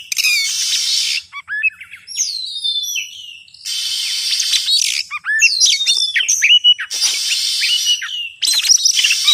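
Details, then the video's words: Lure call for trapping oriental magpie-robins: bursts of harsh, hissing scratchy notes alternating with bright whistled slurs and quick chips, the rasping sections returning every few seconds. "suara ampuh pikat burung Kacer"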